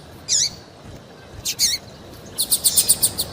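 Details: A female double-collared seedeater gives a call used to make males sing in tournaments. Two high, down-slurred chips come first, separated by a pause, then an even, rapid run of about nine ticking notes.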